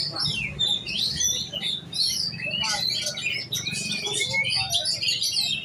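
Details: Young oriental magpie-robin prepared for singing contests, pouring out quick, jumbled whistles and chattering phrases in a continuous burst. A low background hum is also present.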